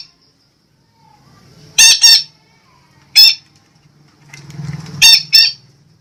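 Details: Red-breasted parakeet from Sumatra, a lure recording: five rasping, harsh squawks, a close pair, then a single note, then another pair, separated by quiet gaps with a soft low rumble beneath.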